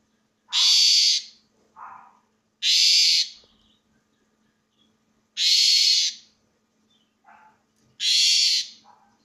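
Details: Asian pied starling singing loudly: long harsh rasping screeches repeated every two to three seconds, each followed by a short lower squawky note, with quiet gaps between.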